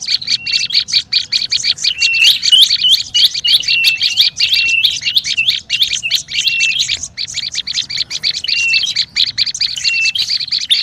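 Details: Olive-backed tailorbird, a noisy lure call used to attract birds: dense rapid chattering of sharp high chirps, about three per second, with short flat whistled notes mixed in. A brief pause near seven seconds, then the chatter continues.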